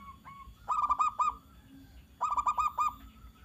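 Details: Zebra dove song for stirring other doves to answer: a brief lead-in note followed by two phrases of five fast, ringing coos about one and a half seconds apart.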